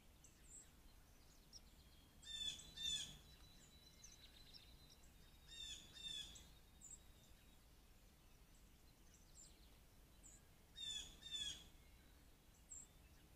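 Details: Blue jays coming in to a deck for peanuts, caught on a trail camera on 13 May 2024; three spaced pairs of harsh, noisy calls rise above a steady background hiss of outdoor noise.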